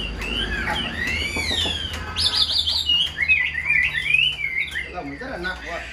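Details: Caged tame Chinese hwamei delivers looping whistled phrases followed by quick sharp descending notes in a tight cluster, with some low background noise and faint voice.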